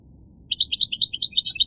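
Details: Short goldfinch song fragment: after a brief silence, a fast string of tinkling, rippling notes alternating between higher and lower pitches.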